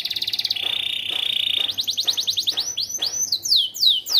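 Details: Canary of the AF type, yellow, in lively fill-in song: a rapid pulsed trill, a level whistled note held for a second, then quickening rising notes and loud downward sweeps. A faint low hum continues.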